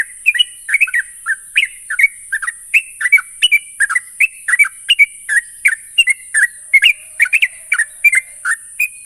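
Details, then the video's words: Sooty-headed bulbul lure song, used to prompt a bird to sing fast in the ngropel style: a steady run of short bubbly, slurred whistled notes, about two or three a second for nine seconds, over a constant high hiss. "pancingan burung trucuk bahan agar cepat ngropel"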